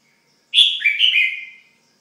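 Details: Single rich whistled phrase from a pet red-whiskered bulbul: a sharp start, then a bubbling, descending flourish fading out over about a second.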